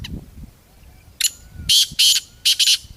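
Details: Black francolin from the jungle calling a loud, grating phrase: one short scratchy note, then two harsh bursts and a closely paired final two, with faint low rumble before.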